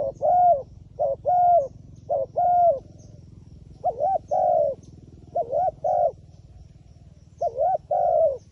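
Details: Repeated pairs of mellow coos from a wild pigeon described as clever and shy of the phone camera. About seven two-note groups follow each other with short pauses, each note bending up then down, over a faint low hum.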